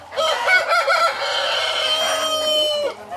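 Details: Hen call from a chicken-farm henhouse: three quick rising-and-falling harmonic notes lead into one long, strained, nasal note held for about two seconds before dropping off abruptly.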